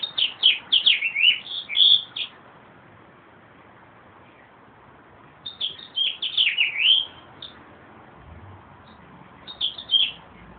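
A meadowlark sings three bubbly, fluty phrases of slurred, tumbling notes, each about two seconds long and spaced a few seconds apart, over faint background hiss.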